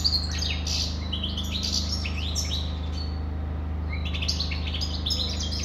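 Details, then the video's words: European goldfinch delivering a dense, continuous run of fast liquid twitters and short buzzy trills, with a brief pause midway before resuming, a constant low hum beneath. "Καρδερίνα,chardonneret,goldfinch the best"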